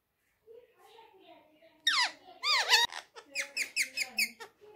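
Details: Talking Indian ringneck parrot, a pet rose-ringed parakeet said to say "Miyan Mitthu Churri Khani Hai": soft low voice first, then loud nasal swooping parrot syllables and a series of about eight quick squeaky notes.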